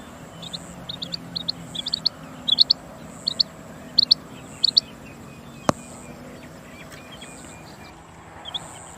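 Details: Rain quail, called chinga batair locally, gives a rapid run of sharp, high paired notes that quicken, then space out and stop. A single click and a steady high background whine are also heard.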